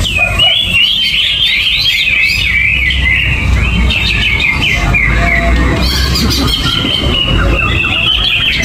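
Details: Caged greater green leafbird, kept uncovered and banana-free, in gerabakan song: long flowing series of bright warbled whistles and chirps, nearly unbroken, with a rumbling low background.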